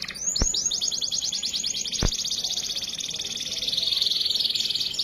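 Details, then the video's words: Canary master song meant to prompt other canaries to sing: a long, unbroken, very rapid high trill sustained for several seconds, with two sharp clicks. "Masteran kenari top dor. kenari mana yang diam mendengar kenari gacor ini"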